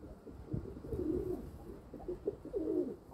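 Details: Domestic pigeons kept by their owner, heard in short bursts of low, rolling coos that swell and fade, several overlapping within a few seconds against faint background rumble.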